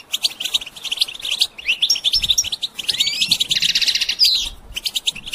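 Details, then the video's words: Goldfinch song played for training songbirds: dense, fast twittering of buzzy chirps and short trills. Brief rising whistled notes and a harsh rattling burst come near the middle. "integrated stimulation suitable for all songbirds for goldfinches"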